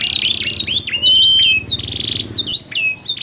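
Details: Two canaries sing back and forth with contrasting tones to spur other canaries into song; bright rising and falling whistled slurs, a sustained high note and quick chattering trills, over a faint low hum.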